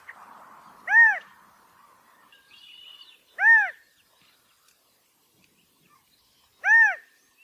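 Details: California quail mating call: three clear, arched, rich single notes evenly spaced about two and a half seconds apart in otherwise quiet surroundings, with a brief faint twitter between the first two.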